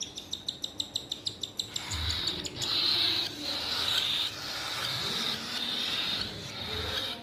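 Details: Baby cockatiel being hand fed at home: a fast run of about ten dry ticking pulses, then a continuous raspy, hissing wheeze with a thin whistled tone running through it, fluctuating for several seconds.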